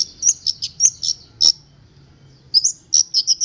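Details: Local long-tailed shrike from Boja singing a song filled with mimicked strange sounds: high, sharp chirped notes in quick bursts, a pause, then more rapid chirps, with a few loud clicks.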